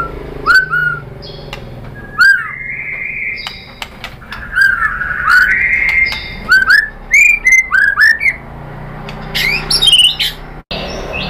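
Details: White-rumped shama singing to provoke other birds: a varied stream of rich whistles, upslurred notes and sharp ticks, with short rapid bursts toward the end.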